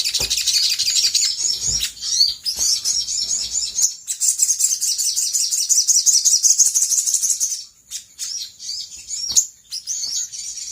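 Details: Sooty-headed bulbul (sogok ontong) song used as a lure to make birds respond. Fast high chirps and slurred notes, roughly three per second, are broken by a few sharp clicks and pauses.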